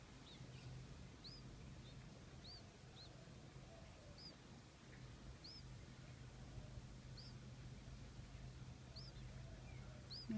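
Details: Two baby birds in their nest wait for food while the parent is away foraging. Thin, high, upward-arched chirps repeat roughly every second over a steady low hum and background noise.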